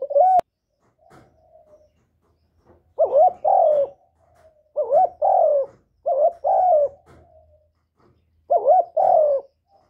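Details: Spotted dove, its cooing played to stimulate newly kept birds, repeats paired low rolling coos roughly every two seconds, with faint soft notes between phrases and a sharp click at the start.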